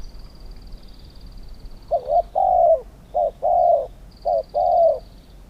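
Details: In a Thai singing match, a spotted dove repeats a coo phrase three times: a quick broken coo, then a long wavering coo that drops at its end. A faint, steady high whistle comes and goes in the background.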